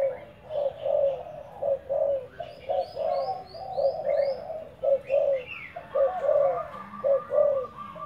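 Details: Spotted dove kept as a decoy, cooing in a steady low rhythm of about one note per second. Other small birds chirp and twitter in short, higher rising notes throughout.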